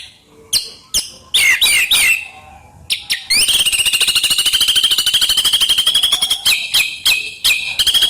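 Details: Murai batu, the white-rumped shama, singing gacor as isian material: a few sharp clicking notes, then a long, steady, buzzy high trill lasting about three seconds, followed by more clipped chirps.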